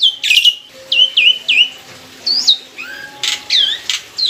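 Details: Black-winged myna, mature and caged, singing a lure song with a loud, clear voice. Harsh bursts and looping whistled notes that dip then rise, irregularly spaced, with noisy squawks near the end.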